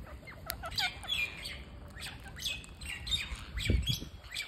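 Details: Parakeet being fed, making bursts of scratchy squawks and chirps, with a few sharp clicks and a low thud near the end.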